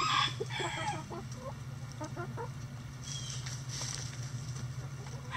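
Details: Chickens in a coop on a sunny day. A brief harmonic call at the start leads into a run of soft, quick clucks, then quieter scratching over a persistent low hum.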